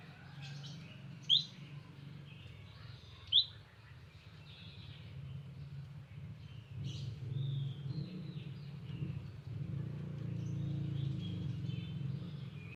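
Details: Two quick, piercing upslurred notes from a visiting wild olive-backed tailorbird, two seconds apart, followed by faint distant bird chatter and a growing low engine-like rumble.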